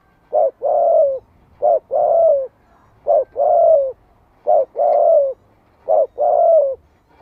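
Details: Spotted dove call used to stimulate other doves to call back: a short coo then a longer, falling, drawn-out coo, paired phrases repeated about every 1.4 seconds, steady and clear.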